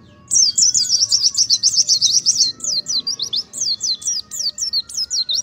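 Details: Ngalas song of an Oriental white-eye: after a brief quiet start, a dense trill of high chirps gives way to spaced, downward-sweeping whistled notes.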